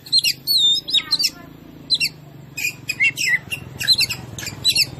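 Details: Oriental magpie-robin (kacer) in a lure recording meant to agitate other birds: a sweet wavering whistle, then a fast jumble of chirps and slurred notes over a faint low hum.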